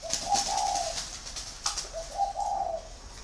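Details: Caged male spotted dove from northern Vietnam, red-eyed, six years in the cage, with a deep 'thổ' voice. Two clear coo phrases, each a short note followed by a longer rolling coo, with faint clicks and room noise.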